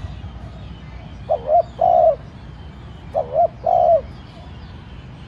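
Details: Captive spotted dove decoy giving light urging coos to stir wild doves into cooing. Two phrases about two seconds apart, each a soft double note then a longer mellow held coo over quiet background.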